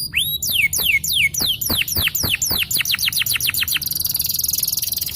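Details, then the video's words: A yellow canary sings a run of high, down-sweeping whistles that quicken steadily, then breaks into a fast, buzzy high trill, with nothing else heard. "The choice of the yellow Canary is the cool long sound of the champion"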